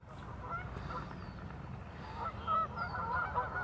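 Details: Geese on Warner Park Lagoon, Northside of Madison, Wisconsin, USA, give a busy stream of short, nasal honks from several birds, overlapping and irregular, with a low rumble beneath.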